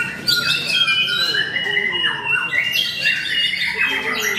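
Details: Contest song of a white-rumped shama at Mahendra Arena: strong whistled notes and rapid slurred phrases, with several birds singing over each other and human chatter behind.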